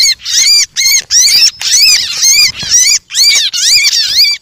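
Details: Lure call of the bar-winged prinia used to draw in birds: loud, close, nasal arched notes, each sliding up then down, repeated about twice per second in an almost continuous run with brief gaps.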